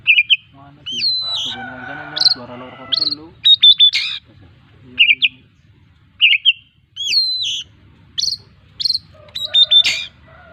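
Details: Kacer delivering repeated mimicked phrases: upward-hooked whistles, bright chips and short high notes in spaced bursts, with a lower harmonic voice-like sound early on and a quiet gap in the middle.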